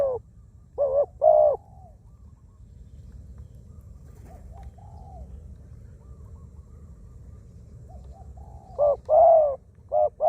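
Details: Spotted dove used for ground decoying, a wild bird with a small voice: paired coos open the recording, a long near-silent stretch with faint distant cooing follows, then more short-and-long coo pairs return at the end.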